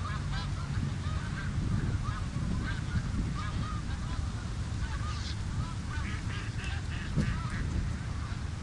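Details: Snow geese gathered on the Richelieu River: frequent short, nasal, yelping honks from several birds, overlapping and repeated every fraction of a second, over a steady low roar of wind and water.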